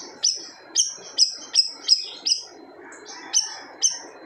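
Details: A siri-siri bird in vigorous song that reportedly quiets other birds: rapid run of piercing high falling notes about every third of a second, a short break, then three more strong notes.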